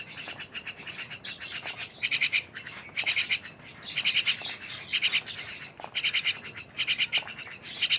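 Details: A noisy gathering of mynas makes short grating, buzzy bursts about once a second in an uneven rhythm, over steady background chattering and squeaks.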